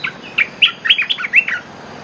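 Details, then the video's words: Lure call of an olive-winged bulbul. Quick, warbling chirped notes come in a lively two-second burst, each bending up or down, then fade to quiet hiss. "Suara pikat merbah belukar gacor"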